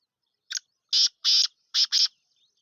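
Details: Calling black francolin (kala teetar): one brief stuttered note followed by four broad, scratchy, buzzing notes in two evenly spaced pairs, loud and clear with almost no background noise.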